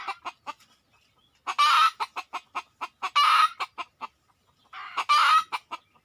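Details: Wild red junglefowl approaching a decoy: soft clucks, then three loud, harsh squawking bursts about one and a half seconds apart, each flanked by crisp clucks.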